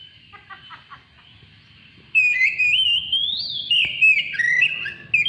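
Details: Oriental magpie-robin song for provoking other birds to sing: faint stuttering notes first, then a loud burst of rising and falling whistles with quick twittering accents.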